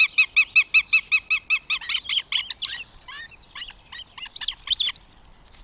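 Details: Northern goshawk at a nest in Tartu, Estonia, recorded 2 June 2025: a steady cackle of about ten evenly spaced kek notes that speeds into a ragged chatter, ending with high squealing notes.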